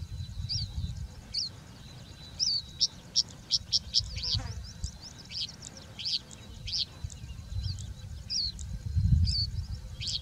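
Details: Bushlark singing in open habitat, a long run of high whistled and sharp chirping notes, some fast in clusters, with low rumbling noise underneath.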